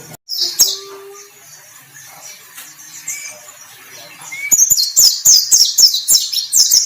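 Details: White-breasted white-eye kept as a contest songbird, described as singing vigorously and ready for the hanging pole. Sparse thin notes open, then a rapid run of very high, sharp chirps repeats several times a second, punctuated by clicks.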